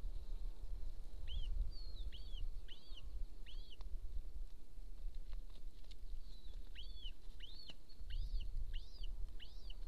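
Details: Golden eagle calling at a nest near a military training ground in Estonia, 26 April 2024, early afternoon: a long series of thin, arched, yelping notes about every half second, pausing midway, under a constant high-pitched hum and faint ticks.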